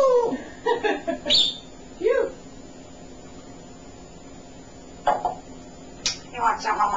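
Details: A very talkative male African grey parrot kept as a pet at home, heard as garbled speech-like phrases and sharp sweeping squeaks. A long quiet gap separates these from a final burst of chatter, with a person talking to the bird.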